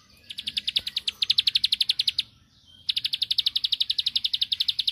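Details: Bar-winged prinia provoking a rival to answer: rapid series of sharp high clicking notes, about four per second, in two long bursts separated by a short pause.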